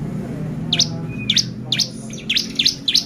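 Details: Lure track of a bar-winged prinia meant to agitate birds: sharp high chips spaced about half a second apart, each slightly doubled, over a low rumbling background hum.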